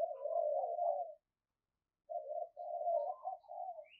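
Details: A spotted dove kept as a lure calls to bring in wild doves. A long, low, burry coo runs for about a second, then after a silence a second run of husky cooing notes.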